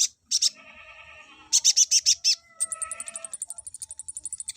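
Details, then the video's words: Olive-backed sunbird song meant to raise breeding condition in males: loud high chip bursts, a run of five sharp notes, then a fast even string of thin high ticks, with softer steady lower whistled tones threaded through. "PENAIK BIRAHI KONIN JANTANMU...!!!"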